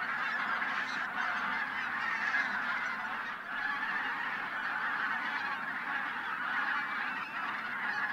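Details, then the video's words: Over 1,000 wintering bean and white-fronted geese taking off before sunrise at Teichland Linum, Brandenburg, possibly flushed by a white-tailed eagle, in a dense, continuous chorus of overlapping nasal honking with no pause. "Wildgänse vor Sonnenaufgang"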